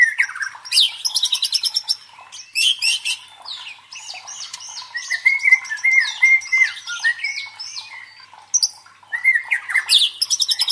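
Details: White-rumped shama song for training the fighting mentality of contest birds: bursts of fast rattling trills alternating with a chain of repeated slurred whistles, rich and loud throughout.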